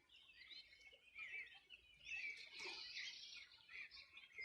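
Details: Riverside birdsong along the Río Bueno, Región de los Ríos, one summer morning in 2020; a continuous mesh of high chirps, trills and warbles from multiple birds, swelling louder midway.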